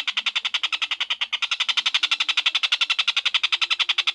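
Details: Collared kingfisher (tengkek buto) giving a long, fast chattering series of rasping kek notes, about ten per second, steady in pitch and loudness throughout, with faint low hum beneath; used as tutor audio for lovebirds.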